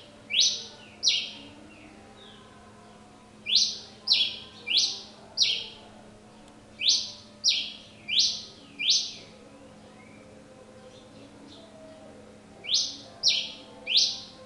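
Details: Pileated finch in persistent song: bursts of two to four loud buzzy, down-slurred notes in quick succession, separated by short pauses with softer chips, repeated across the recording.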